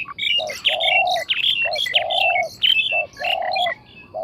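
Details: Spotted dove voice: low, steady, drawn-out hoots alternating with short coos, overlapped by busy high chirps and twittering from other small birds.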